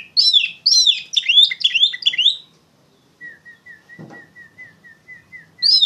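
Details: Loud Oriental magpie-robin song, used as a lure for training young songbirds, with fast bursts of clear, varied whistles that sweep up and down, a pause, then a row of short, even, soft whistles and a brief thump.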